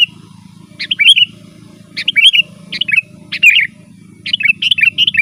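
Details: Rapid, chattering song of a sooty-headed bulbul, meant to call wild birds: a run of quick whistled and slurred phrases, almost one per second, growing denser at the end, with a steady low hum behind.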